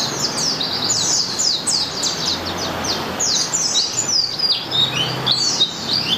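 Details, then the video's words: Malang white-eye (pleci) singing through the morning: continuous high, bright twittering with rapid falling slurs and warbled phrases, barely pausing. "suara merdu pleci malang"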